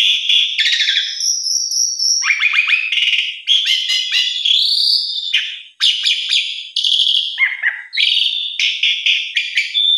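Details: Black-collared starling singing, meant as a morning lure for captive birds that have stopped singing; dense medley of high whistles, buzzy trills and clipped chatter with brief pauses near the middle and end.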